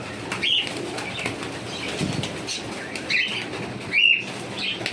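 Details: Cockatiel giving a few short, arched chirping calls spaced about a second apart, set against a rustling, noisy background with scattered broadband clicks.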